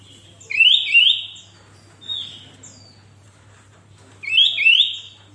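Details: Sooty-headed bulbul (kutilang) singing vigorously, for pairing with other bulbuls to make them sing. A loud double rising whistle starts the phrase, then a single falling note follows, and the bubbly double whistle returns near the end.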